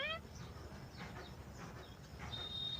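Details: A 4-month-old pet Alexandrine parakeet talking, repeating "me too" in short, hoarse speech-like syllables, opening with a harsh squawk and ending on a thin, steady high whistle, over low hum and music.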